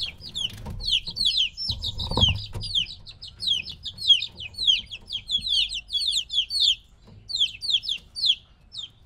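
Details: Domestic chicks about three weeks old, kept apart from their mother and very noisy: a dense, continuous chorus of high, sharply falling peeps from several birds, overlapping in rapid bursts, with a brief low thump early on.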